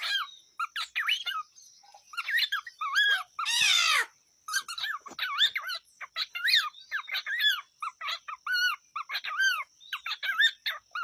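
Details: Pet cockatiel on a countryside farm chattering: many short, rapid chirps and bent whistled notes in quick irregular bursts, broken by a brief harsh hiss. A man speaks Portuguese around it.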